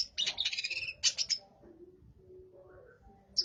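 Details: Long-tailed shrike giving a burst of rapid, scratchy sparrow-like chirping from its burung gereja (sparrow) mimicry repertoire, then a couple of harsh notes and near silence with one final chip.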